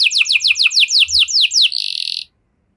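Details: Canary singing in the cengkok mewah (luxurious phrasing) style: a fast run of about seven sharply descending whistled notes, then a dense buzzy rattle that stops abruptly, leaving silence.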